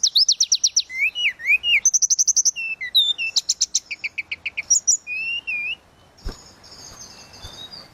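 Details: Tledekan laut song in flute-like style for training songbirds: rapid repeated high sweeps, buzzy trills and paired rising notes, fading into soft thin whistles near the end.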